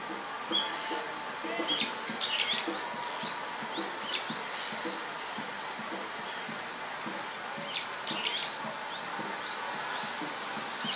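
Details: Pair of Japanese pygmy woodpeckers calling as they fly about and peer into what may be an old nest, filmed 19 May 2013; scattered sharp, rasping high notes come in short clusters every few seconds over a steady background hiss.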